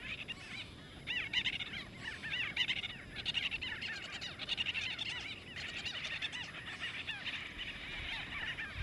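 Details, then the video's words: White-fronted bee-eaters fighting over nesting space in Kruger National Park, South Africa, squabbling in a dense, nonstop chatter of squeaky, nasal trills from many overlapping birds over a low background rumble. "White-fronted bee-eaters fight"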